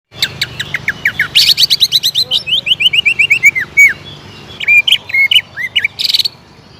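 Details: Greater green leafbird in full song, used as a lure to rouse other leafbirds into nonstop singing. Rapid runs of high, bright repeated notes, then descending slurred whistles and sharp chattered phrases.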